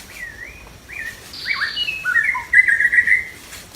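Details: White-rumped shama singing in the wild during trapping: a run of varied whistled phrases, some slurred up and down, others rapid and warbled, growing louder and richer toward the end, against a quiet background.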